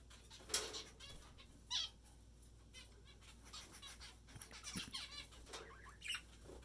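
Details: Pet male budgerigar (Melopsittacus undulatus) in a bird room with breeding budgie pairs and many zebra finches, giving short, scratchy chirps and squeaky notes in irregular bursts over a low hum.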